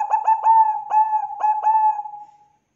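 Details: Bangkok zebra dove song meant to draw other doves into singing: a run of clear, mellow coos broken by sharp stuttered accents, about six beats in under two seconds, trailing into a smooth fading hum.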